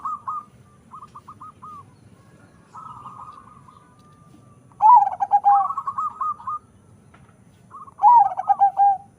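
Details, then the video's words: Local-Bangkok crossbred zebra dove sings in phrases: soft trilled coos, then two loud bursts of deep rolling coos descending in pitch, each a second or so long, with quieter cooing between. "PERKUTUT CROSING PERPADUAN LOKAL BANGKOK SUARA SUPER BESAR"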